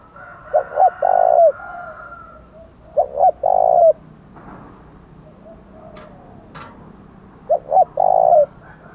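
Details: Spotted dove in the 'thổ đồng' voice style giving a challenge coo that urges rivals to fight. Three phrases, each two short rising notes then a long mellow hooked coo, about every three seconds, over quiet background.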